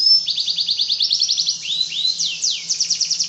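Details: Singing canary delivering rapid high trilled phrases, a pair of rising-falling slurred whistles, then steep descending sweeps and another quick trill; a faint low hum lies underneath.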